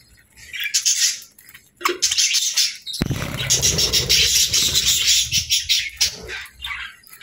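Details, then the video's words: Cheerful budgies singing in a dense, continuous, buzzy chatter of rapid twitters, broken by a sharp click partway through, then chirping on in quick scratchy phrases. "Budgie Sounds 🦜 | Happy Budgie Chirping & Singing"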